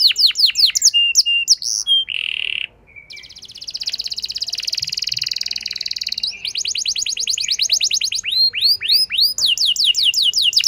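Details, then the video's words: Lure song of a canary to make a less eager bird sing long: chirps and a buzzy note, a brief quiet, a sustained rapid trill, then mixed swooping whistles and fast repeated chirps. "Pancingan Ampuh Bikin Gacor Kenari Kurang Emosi! Jadi Gacor Panjang"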